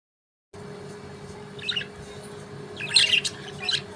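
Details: Budgerigars enjoying soft food give a few short, bright chirps and scratchy squawks over a steady low hum.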